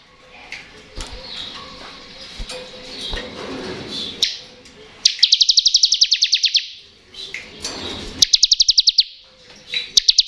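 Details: Ngebren-style song of a Kristal bar-winged prinia, meant to coax lazy or young birds into singing. Soft twitters open, then dense rattling buzzy trills come in three bursts, with brief chips in between.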